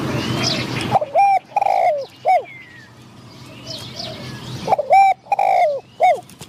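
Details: Spotted dove used as a decoy for luring wild doves, giving two loud cooing phrases of short hollow notes ending in a longer coo, separated by quiet gaps with soft distant bird whistles.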